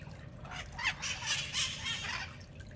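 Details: Wild flock of ten mitred parakeets feeding at breakfast time in Redondo Beach, California; several short, harsh, screechy calls overlap within three seconds above a steady roar of background noise.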